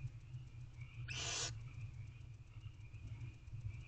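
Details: At night in a nest box, one of three young barn owls begs to be fed by the female; a single rasping, hissed screech of about half a second rises over steady low background noise.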